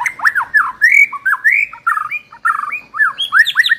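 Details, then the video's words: White-rumped shama training lure song: a rich stream of varied whistled phrases with sharp upslurs and downslurs, looping notes and short gaps, delivered loudly and continuously. "pancingan murai batu"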